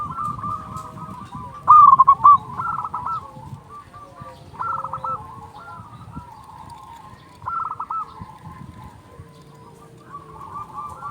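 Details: Local zebra dove used to lure and excite other doves: one loud brief phrase of clipped cooing notes, then several softer phrase-like cooing runs, with a murmur of background noise.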